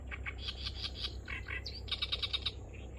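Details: Unusual song of an Oriental reed warbler, hidden from view at Kurohama marsh in Hasuda: rasping, scratchy phrases, a brief rising whistle, then a rapid run of sharp clicking notes, with low background hum.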